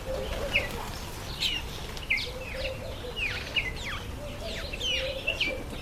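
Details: Masked weaver in breeding season (September to October): sharp downslurred chip notes repeated roughly every half second amid softer buzzy chatter, with faint low warbles in the background.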